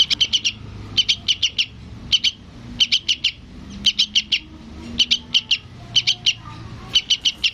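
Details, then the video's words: Young yellow-vented bulbul begging to its parent, giving rhythmic clusters of four sharp, high chirps, about one cluster per second, over faint low background noise. "SUARA BURUNG TRUCUKAN ANAKAN MEMANGGIL INDUKNYA"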